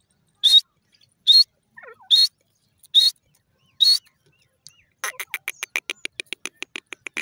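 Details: Morning call of the grey francolin (teetar): five loud, harsh, high notes repeated roughly every 0.8 seconds, followed by a fast accelerating series of rapid clicking notes, in an otherwise quiet setting.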